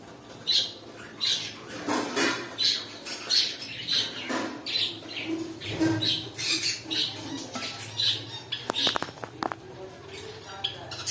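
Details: Pet cockatiels calling with repeated shrill, scratchy squawks in a steady rhythm, a few lower chirps mixed in, followed by a cluster of sharp tapping clicks near the end.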